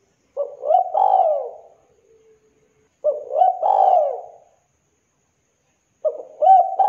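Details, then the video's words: Zebra dove in full, lively calling, described as clear with a thick voice. Cooing phrases of about 1.5 seconds repeat roughly every three seconds, each a short stuttered note followed by a longer, mellow, falling coo. No other sounds. "DERKUKU TEKUKUR GACOR KUK 2 JERNIH SUARA TEBAL MEWAH"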